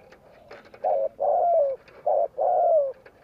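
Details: Spotted dove coos used to provoke and lure wild doves. Low mellow coos come in pairs, each a short note followed by a longer drawn-out one that slides slightly downward. The pair repeats twice in quiet surroundings.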